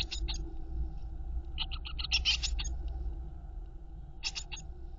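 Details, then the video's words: Nest box blue tit chicks fed by the mother: short runs of high, scratchy begging squeaks, a brief flurry midway and another at the end, above a low droning hum. "Die Blaumeisen Küken werden von der Mutter Blaumeise gefüttert"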